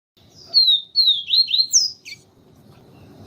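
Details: Papa-capim seedeater, Sporophila nigricollis, singing the siu siu style meant to train and warm up a male, with a female calling: a quick run of four or five high downslurred whistles ending in an upward note, then a click.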